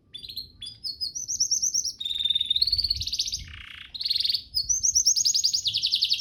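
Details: Canary training song: rising whistled notes, steady buzzy trills and a lower nasal rattle midway, followed by bright rapid rolls at high pitch.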